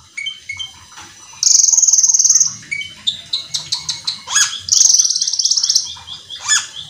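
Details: A cucak keling gives a rapid, varied song meant to prompt other cucak keling to sing. Long buzzy trills with fast pulsing run alongside short whistled notes and a quick series of sharp chips, all loud and bright.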